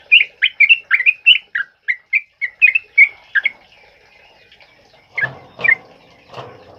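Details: Sooty-headed bulbul with a loud 'ropel uplik' song for training other birds, recorded in heavy rain; a fast burst of short whistled, slurred notes for three seconds, then quieter isolated notes among broad noisy bursts.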